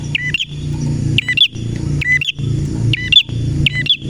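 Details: Male red prinia giving bursts of sharp paired chirps, the lower note dropping, spaced a second or more apart, over an engine-like low hum and a steady thin high tone.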